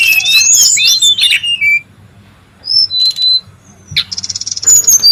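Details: In the wild, a brown-chested jungle flycatcher gives a tangle of sharp, high chirps, then a pause. Thin clear whistles follow, and a rapid ticking buzz rounds it off.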